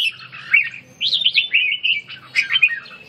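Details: Red-whiskered bulbul practising ché song while rebuilding stamina: clear, liquid slurred whistles in short bouncing phrases, a rolling run of notes, a brief gap, then a final chirpy flourish.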